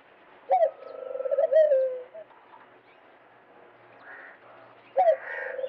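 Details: Dove cooing: a sharp opening note, then a throbbing rolling run that settles into a drawn-out low coo. A second phrase starts near the end, and faint chirps of other birds sound in between.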